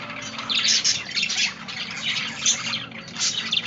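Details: Budgerigars twittering. Rapid chirps and scratchy squawks come in uneven bursts, softer at the start and swelling in several louder clusters.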